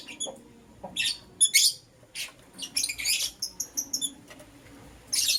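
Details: Two lovebirds, green personata and yellow pastel pied, give sparse sharp high chirps in the morning, single shrill notes and short clusters separated by quiet gaps, ending in a brief burst of scratchy chatter.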